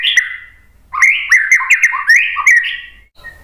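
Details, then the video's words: White-rumped shama singing as a lure for replies from other birds: a brief whistle, then a continuous rapid phrase of mixed rising and falling whistled notes, fading at the end. "KICAUAN MURAI BATU memancing BUNYI jadi NYAUT GACOR NGEPLONG BONGKAR ISIAN ¦ PANCINGAN MURAI"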